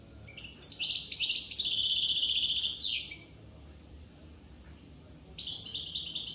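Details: European goldfinch from Corsica singing a bright, high, tinkling twitter for about two seconds, pausing, then starting again with a fresh burst of liquid chattering notes.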